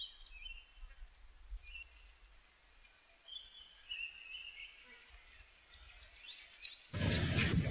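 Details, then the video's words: Small minivet song used as a tutor for oriental magpie-robins: a clean run of high, thin, sliding whistles, some short and some drawn out, with a few softer lower notes. A brief rustle comes at the very end. "SUARA BURUNG KUNIRAN atau MANTENAN KECIL BUAT MASTERAN KACER"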